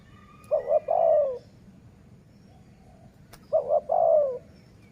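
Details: Two cooing phrases from a dove kept as a decoy for trapping wild doves, about three seconds apart. Each is a double short coo and then a longer, sagging, slightly rough note. One sharp click is heard in between.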